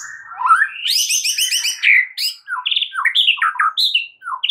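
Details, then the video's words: Masteran of a white-rumped shama, played to stressed birds: a rapid, rich medley of rattling high trills, a dense buzzy chatter, then sharp varied whistled phrases bouncing up and down, loud and continuous. "MASTERAN untuk Murai Batu Stress"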